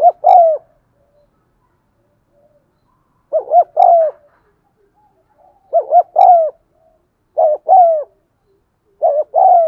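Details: Repeated cooing of a spotted dove, used to trigger cooing in caged birds; soft mellow phrases of two quick notes and a longer sliding coo recur every couple of seconds against a silent background.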